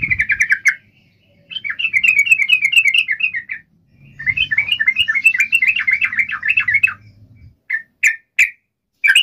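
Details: Yellow-vented bulbul singing to call a rival: repeated runs of fast, bubbly chattering notes, with a faint low rumble beneath, then a few isolated sharp notes at the end.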